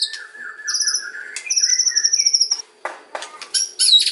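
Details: Lure song of a white-rumped shama in kretekan and ocean style, aimed at provoking other shamas: long drawn high whistles, a low steady note, then crackling bursts and a wavering high whistle.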